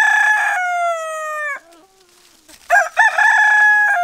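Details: A rooster finishes one long descending crow. After a brief quiet pause, a second loud, rich crow begins.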